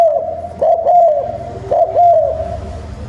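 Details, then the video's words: Two loud, low, mellow coo phrases from a spotted dove, each with a short lead-in note and a drawn-out falling coo. The song is used as a decoy to provoke wild doves. "Tiếng chim cu gáy kích bổi hiệu quả cao | Bổi Nghe là gáy, thúc gù tốc độ"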